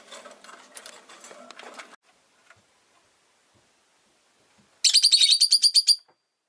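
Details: Rosy-faced lovebird during a relaxed afternoon, with street noise from cars, motorbikes and bicycles noted. An early stretch of broadband noisy sound gives way, after a pause, to a loud rapid series of about a dozen sharp high chirps lasting roughly a second.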